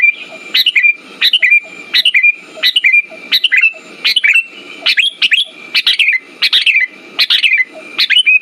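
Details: Sooty-headed bulbul song intended to stir silent birds to sing: rapid series of liquid, downslurred whistled phrases, about one and a half per second, against a constant high whine and quiet low background noise.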